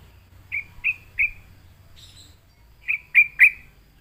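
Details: Sooty-headed bulbul drawn into song by a lure, uttering two sets of three bright emphatic chirps separated by a brief high thin note.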